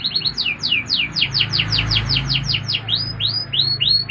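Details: Indonesian canary singing a long series of sharp, rapidly repeated downward-sweeping whistles, switching near the end to upward-curving notes, with a constant low hum underneath.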